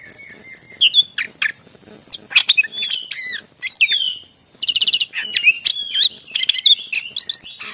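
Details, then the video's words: {'text': 'Lively greater green leafbird song, meant to coax silent birds into singing. Varied, dense phrases mix clear whistles, downward sweeps, buzzy rattles and rapid chips, with scarcely a pause.'} "cucak ijo gacor masteran yang terampuh buat pancingan burung yang lagi susah bunyi"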